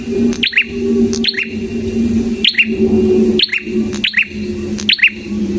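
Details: Red-headed prinia chirping loudly in high, falling double notes roughly every second, set against a steady low droning hum throughout; a lure and master sound for songbirds.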